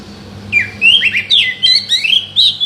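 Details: Oriental magpie-robin song for provoking a non-singing bird: a continuous string of lively whistled notes, sharp downslurs and rising sweeps in quick succession for two seconds, loud and clear over a faint low hum.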